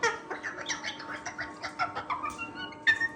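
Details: A pet talking cockatoo named Max, greeted with "Hi, Max" and "Hello", answers in a raspy, human-like voice: a quick run of short syllables over three seconds, with a faint steady hum behind.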